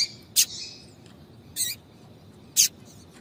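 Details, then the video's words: Female yellow-bellied seedeater's 'tui tui' call, used to stir up males. Three brief, sharp high chirps come about a second apart, the first trailing off in a thin fading whistle, over a quiet background hum. "Piado de fêmea de papa capim para Foguear Papa capim tui tui"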